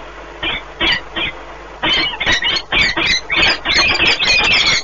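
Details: Nesting peregrine falcon pair in Płock, Poland, 1 March 2019, meeting and bonding; a few spaced harsh notes speed up into rapid grating chatter, roughly three per second, growing louder and denser toward the end.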